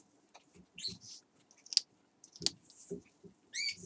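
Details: Parrot in a room, giving short, harsh chirps and a few rising, harmonic squawks spread over about four seconds, fairly quiet, with soft low thumps and room noise beneath.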